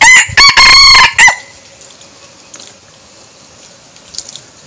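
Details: A decoy red junglefowl gives a loud, ringing crow right at the start, broken into a short first note, a long held middle and a sharp final flourish, followed by quiet background with faint distant chirps.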